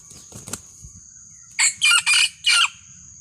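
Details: Red junglefowl lure call used to call and challenge a rival: after faint rustling, four loud harsh bursts follow in quick succession over about a second, with a steady high hiss behind them.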